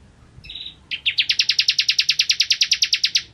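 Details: Ciblek kristal, the bar-winged prinia, singing gacor for masteran use: a brief flat whistle, then an accelerating, even trill of high ticking notes lasting over two seconds.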